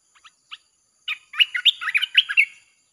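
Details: Red-whiskered bulbul, a cage bird, singing nonstop in a recording played to lure wild birds: a few soft notes, then a rapid chattering series of liquid, warbled whistles.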